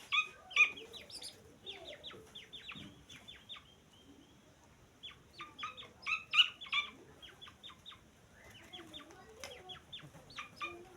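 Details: Grey francolin chicks: bursts of rapid, short, high chirps in tight clusters, separated by brief pauses, with softer lower notes between.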